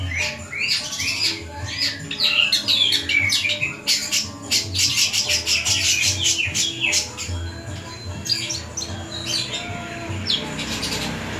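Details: Long-tailed shrike, dubbed the thousand-voice bird, giving a dense, energetic song of rapid clicks, high chirps and scratchy trills in repeated bursts, with low background hum.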